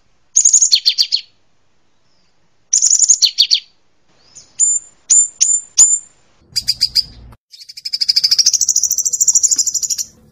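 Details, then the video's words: A canary sings high, varied phrases: buzzy chattering bursts, four sharp descending whistles, then a long rapid rolling trill, with one brief low thump; a song combining Java sparrow and hummingbird-style notes. "Suara Kenari Kombinasi Gelatik Batu dan Kolibri"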